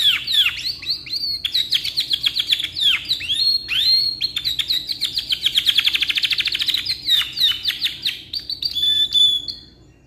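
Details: Long rolling canary song, black-red variety, offered as a tutor song: dense chains of sweeping chirps merge into fast even trills, then end in a thin high whistled note, loud and continuous throughout.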